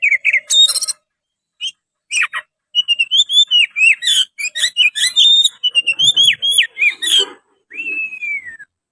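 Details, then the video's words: Oriental magpie-robin delivering a varied song of sweet whistles, short chips and quick trills in bursts separated by brief gaps, ending with a long, smoothly descending whistle. "Suara Kacer gacor"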